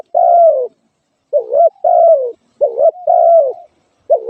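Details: Spotted dove uttering a long level coo, then looping pairs of a quick rising note and a sustained falling coo, close, clean and unaccompanied.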